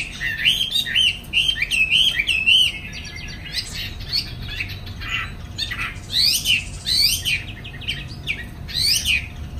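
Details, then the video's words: Chinese hwamei, caged in Hanoi, Vietnam, with wings spread in afternoon song: a flowing chain of looping warbled whistles, followed by loud, high, steeply falling sweeps in clusters. "Chú mi chiều nay thích fang cánh"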